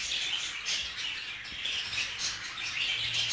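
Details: Budgerigars in group keeping, with a jealous male guarding a female: a short stretch of unbroken, shrill, chirping chatter with quick squeaky notes.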